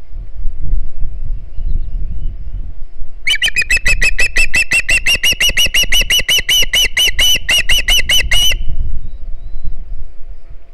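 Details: Young osprey on a Hog Island nest, 9 September 2019, calling for fish on a live nest camera; after low wind rumble, a long rapid run of about thirty shrill whistled notes for five seconds, then rumble again.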